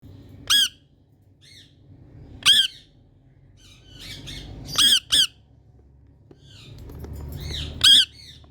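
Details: Indian ringneck parrot in India giving loud, harsh screeching calls, short sharp bursts at irregular intervals with quieter chattering notes between, low background hum.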